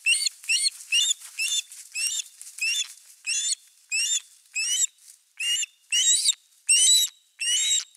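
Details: Two ospreys at nest 3 of a live nest camera with a fish, 4 August 2024: a steady series of sharp, rising whistled notes with bright overtones, about one every 0.7 seconds, some doubled, with no other sounds.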